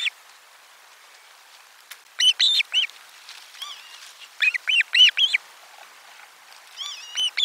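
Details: Osprey calling at nest 4 on 12 July 2022 as a lunch fish is delivered: clusters of three or four loud, arched, piping whistles, then quiet, then another cluster, with softer notes trailing off.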